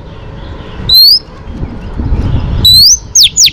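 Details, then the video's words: Female Oriental magpie-robin singing to stimulate males, for training. A single rising whistle comes first, then after a pause a longer rising whistle followed by two sharp descending sweeps, over a low rumbling background. "chòe than mái HUÝT KÈM THÚC TRỐNG.chòe than mái kích trống căng lửa.chim chích chòe than mái hót"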